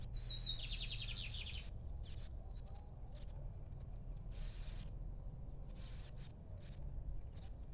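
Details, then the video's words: Free-flying lined seedeater singing: a high, rapid trilled phrase of repeated buzzy notes, then scattered brief high chips, all over a steady low rumble of background noise. "Bigodinho cantando Solto"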